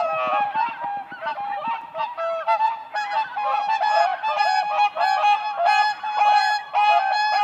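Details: Group of whooper swans dancing on spring lake ice: continuous overlapping bugling honks, nasal and harmonic, from many birds, close to two calls per second throughout.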